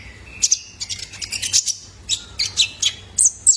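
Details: Juvenile male Brown-throated Sunbird, recorded as a lure to prompt caged birds to sing: thin, high whistled notes and sharp chips in quick irregular bursts, some notes held briefly at a steady pitch.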